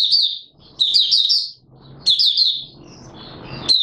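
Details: Open song of an Oriental white-eye (Mata Puteh Raja), 24 March 2022: three bursts of rapid, high-pitched twittering, each about half a second long, separated by quieter gaps filled with faint room noise.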